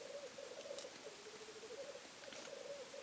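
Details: Black grouse recorded from a hide during a weekend stay: an unbroken low bubbling, warbling murmur that rises and dips slightly, with a couple of faint sharp ticks.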